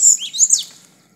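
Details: Double-collared seedeater: a quick burst of high, sharp notes, a rising squeak followed by two bright whistled chirps that fall away within about a second, over a quiet background.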